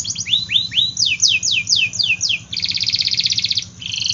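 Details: Canary singing strongly, a lure for canaries slow to sing and young birds: a string of swooping slurred whistles roughly four per second, then a dense buzzy trill and a shorter high roll, above a faint low hum.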